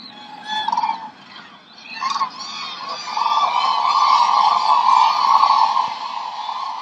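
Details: Common cranes at a roost in Hungary in mid-October 2025 call as a flock: loud, trumpeting, rolling calls that swell into a dense, continuous chorus of overlapping voices.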